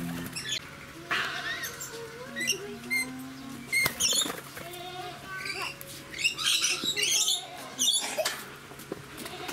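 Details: Red lories at a juice-feeding station at Aloha Garden Tateyama, Chiba, Japan, on 17 June 2018 give harsh, grating screeches and short squeaky bursts at an irregular pace. Rainbow lorikeets there dominate them, and people talk quietly underneath.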